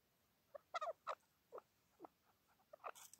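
A chukar partridge gives a series of short, harsh clucking notes, uneven in pace and mid-pitched, over a quiet background.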